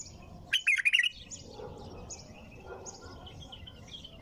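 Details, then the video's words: Bulbul singing nonstop: one short, loud, liquid warbled phrase of quick bright notes lasting about half a second, followed by quieter faint chirps and low background hum. "تغريد بلبل طور بدون توقف"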